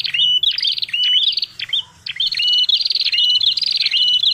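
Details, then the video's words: Prenjak kepala merah, a prinia, calling as a trapping lure: a dense run of harsh buzzing trills broken by short level whistles, one short gap midway, over a low background hum. "suara prenjak tamu prenjak kepala merah ribut paling jitu buat pikat"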